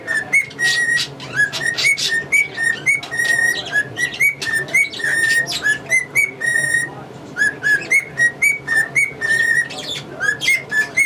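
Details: Pet male cockatiel whistling learned tunes such as Yankee Doodle Dandy and the Mexican Hat Dance. Clear, steady whistled notes come in a quick run, with sharp chirps from English budgies mixed in.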